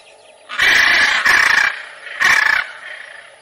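A macaw gives three loud, harsh, raspy squawks in quick succession, each about half a second long, with near silence between them.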